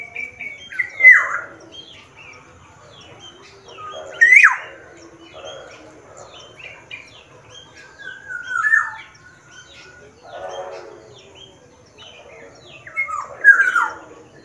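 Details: Black-naped oriole of the Sumbawa type, singing actively: loud fluty whistles, each sliding downward, come about every three seconds, with softer chattering and twittering notes between the phrases.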